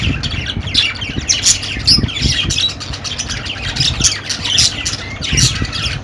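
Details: Budgerigars give rapid squeaky chirps and harsh squawks in clustered bursts; a low-pitched hum runs through the background.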